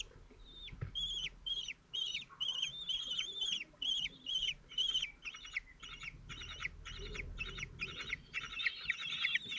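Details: Four-chick common kestrel brood, 17 days old, fed by the male at Théding on 27 June 2023. Drawn-out whining calls repeat about twice a second, then grow into busier overlapping trills.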